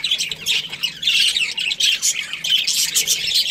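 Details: Australian budgies, a breeding pair, giving loud bursts of high scratchy chirps and squawks in quick pulses, separated by short dips.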